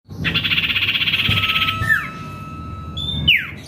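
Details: Common Iora (cipoh kacat), a lure recording to provoke rival birds: a rapid, buzzy pulsing trill for about one and a half seconds, then a short downward-slurred note, a steady thin tone and a final high note that drops sharply.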